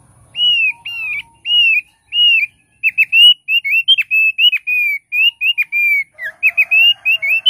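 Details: Thick-billed heleia song: a steady stream of loud, pure whistles, several drawn-out notes followed by a quicker chattering sequence of short slurred whistles, with a faint lower buzz near the end.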